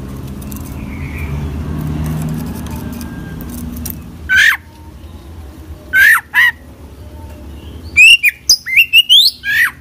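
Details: Oriental magpie-robin (kacer) in full isian song: after four seconds of low traffic-like rumble, loud rising slurred whistles appear, then a quick run of chattering, upward-sweeping notes at the end.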